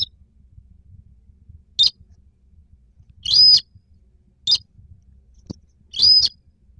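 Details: White-browed crake (Poliolimnas cinereus) call, used as a lure for night hanging nets in rice fields: short, high, squeaky notes in bursts under half a second, roughly every one to two seconds, over a faint low hum.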